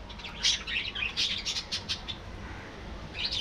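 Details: Budgerigars in a colony, producing a continuous babble of high, rapid chirps and squeaky warbled notes with short gaps, a lively, talkative stream.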